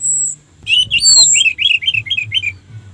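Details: Orange-headed thrush lure song to excite rival birds: a high thin whistle, then a quick string of about eight rich, warbling down-slurred whistles delivered in rapid succession.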